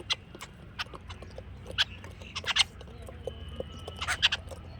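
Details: Jungle babbler giving harsh, broadband chattering notes in uneven bursts, clustered near the middle and end, over low steady background rumble.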